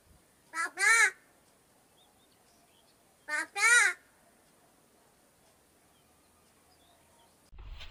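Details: Talking crow kept as a pet repeats the same two-syllable, word-like call twice, about three seconds apart, each a short note then a longer rich one, before a low thump and noise at the end.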